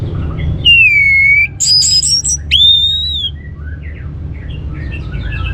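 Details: Orange-headed thrush singing as a stimulus for other birds: a steady clear whistle, a cluster of high squeaks, then a rising and falling whistle, ending in soft scattered twitters.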